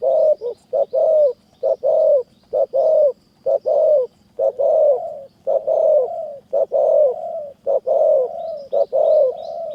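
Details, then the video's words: Spotted dove cooing steadily in high mountain forest in Kanchanaburi during dove-luring with a decoy bird: low, mellow, hoarse coos about once a second, overlapping at times as if two birds answer each other, over a faint hum. "นกเสียงดี | ต่อนกเขาใหญ่"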